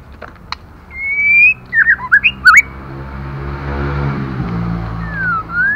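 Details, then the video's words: Female white-rumped shama calling to stimulate male birds: a long, slightly rising clear whistle, then a quick run of short swooping, looping notes, ending with a falling-then-rising whistled slur over a low background hum. "Lửa mái kích trống hay nhất👍kích bổi nhanh chơi"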